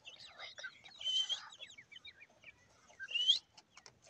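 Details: Grey francolin chicks calling: high, thin peeping chirps and short upslurred notes tumbling over one another, with two louder, sharper squeaks standing out near the start and the end.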